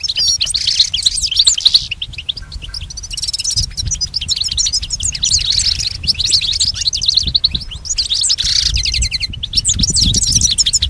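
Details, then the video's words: Lesson recording of goldfinch song for a pet bird, nearly nonstop rapid, high twittering with liquid trills and buzzy passages, at times dense and chattering, with a faint rumble below. "Teaching the goldfinch the art of song-advanced lessons in best chirps"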